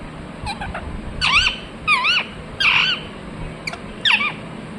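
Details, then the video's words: Ringneck parrot chirping with wavering, rising-and-falling harsh calls given about once a second, mixed with brief sharp clicks. "Ringneck parrot Chirping sounds"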